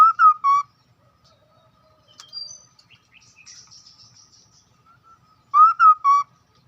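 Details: Hwamei singing a lure song, loud three-note whistled phrases at the start and end, each note clear and slightly wavering, with soft high chirps and twitters between.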